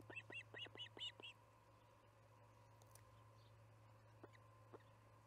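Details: Osprey at the Charlo nest during evening feeding, July 9, 2019, 6pm MDT: a quick run of about six high, whistled chirps in the first second and a half, then near silence over a steady low hum.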